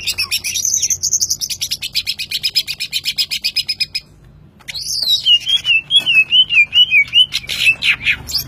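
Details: Greater green leafbird, 'trotol' type, in full song: rapid buzzy trills of high pulsed notes for four seconds, a brief pause, then a long wavering whistled warble and further quick trilled bursts.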